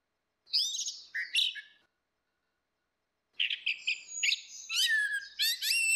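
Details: Orange-headed thrush, female versus male, loud ngeplong singing used as a lure for a bird that has stopped singing. A short varied phrase, a pause, then a longer busy stretch of sharp high whistles and trills.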